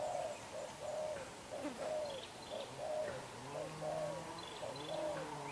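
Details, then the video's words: Spotted dove, a young black-eyed decoy bird, giving vigorous đập gù cooing: a steady run of short, low, mellow coo notes about one per second, some doubled, with faint high bird chirps in the background. "Bổi Tơ mắt đen, đập gù quá dữ chim"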